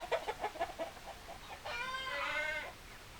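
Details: Chickens: a run of about six short, rhythmic clucks in the first second, followed by a longer, drawn-out harmonic squawk lasting about a second, with a quiet background.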